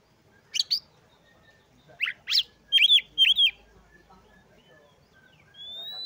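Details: Oriental magpie-robin song intended to stir other magpie-robins' breeding urge; a few sharp upslurred notes, then three loud looping whistles, quiet pauses and a thin rising whistle at the end.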